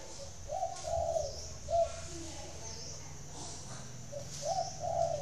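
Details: Spotted dove kept at a bird farm in Ba Vì, Hanoi, Vietnam, delivering two clear phrases of soft, hollow coos, each a short note followed by a longer drawn-out coo, over a low background hum.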